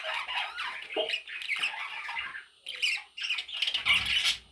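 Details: Parrot chicks squawking: short raspy, scratchy calls in quick overlapping bursts, with a few brief pauses and a louder, higher squawk toward the end.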